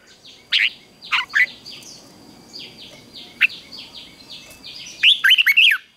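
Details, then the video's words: Red-whiskered bulbul morning fighting song for training: a few isolated sharp notes over steady background hiss and distant chirping, ending in a quick bright warbled phrase. "Luyện chào mào hót sáng | chào mào hót đấu"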